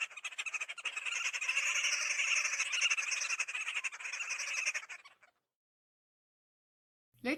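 Green Wood-hoopoe giving a harsh, rapid cackling chatter that swells and carries on for about five seconds, then stops; a brief sharp sound follows.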